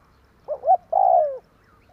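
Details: Spotted dove calling in the 'tarik akar' style, used as a lure for trapping birds: two short, low, wavering coos followed by one longer, drawn-out coo that slides downward, in a quiet setting.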